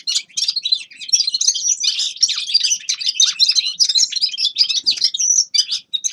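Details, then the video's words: Grey-crowned goldfinch singing a continuous, rapid twittering song of tinkling, buzzy notes and short trills, with dense chatter running through six seconds and no other clear sounds. "Седоголовый щегол Carduelis caniceps певчая птица"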